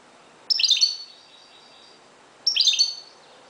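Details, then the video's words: Moroccan goldfinch dawn song: two crisp, high, liquid twittering phrases, each under a second long and about two seconds apart, in an otherwise quiet setting. "JILGUERO **تغريد حسون مغربي ** CHANT CHARDONNERET MAROCAIN"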